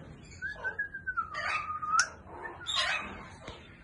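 A grey parrot gives a long, clear whistle that slides gently downward and ends in a sharp upward flick, mixed with a couple of harsh, raspy squawks.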